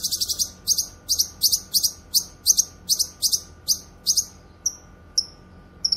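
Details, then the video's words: High, strident chirps from a grey-cheeked bulbul (cucak kinoy) meant for training songbirds and luring wild birds, repeated about twice a second at first, slowing to three lone thin descending whistles. "Masteran suara burung CUCAK KINOY gacor cocok untuk masteran dan pikat"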